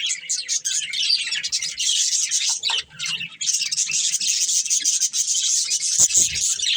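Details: Group of pet budgerigars in loud, buzzy chatter, a nearly continuous rasping, high twitter with a short dip midway and a sharp click near the end.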